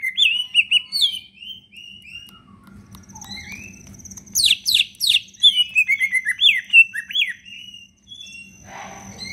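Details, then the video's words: Captive cicak ijo leafbird in energetic full-fill song, meant to prompt quiet leafbirds to sing: slurred whistled phrases, a cluster of loud sweeping notes, then a fast series of bright chirps, with a low hum underneath. "cicak ijo gacorr full isian"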